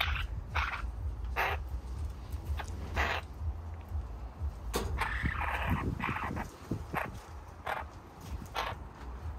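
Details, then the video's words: A Caucasian Eurasian jay growls as it is given corn, a treat it likes, making short, harsh, rasping growls about one a second over a low rumbling hum. "СОЙКА РЫЧИТ И ЕСТ КУКУРУЗУ"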